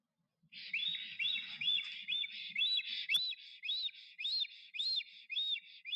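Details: Black stork male singing at the nest while courting, Notecka Forest, April 12, 2023: regular looping whistled notes about two per second over a faint low rumble, with one sharp click partway through.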